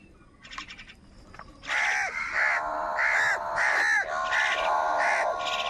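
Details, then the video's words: On a rainy morning, crows fight wild birds for food. After faint chatter, a continuous chorus of harsh, overlapping caws bursts in and carries on steadily to the end. "Crow Fight with Wild Birds for Food in a Rainy Morning | কাকের ডাক Crow Sound Loudly"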